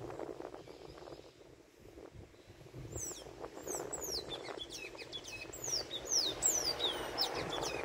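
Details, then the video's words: Tanager song: a run of thin, high, squeaky notes, each sliding downward, given in quick succession for about five seconds over a steady low background hum. "Canto do Sanhaço"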